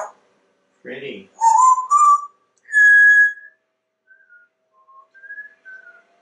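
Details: Captive male African Grey Parrot in a Texas home, hatched 1997, whistling indoors: a low throaty note, then a few loud pure whistled tones stepping upward, followed by soft fading whistles.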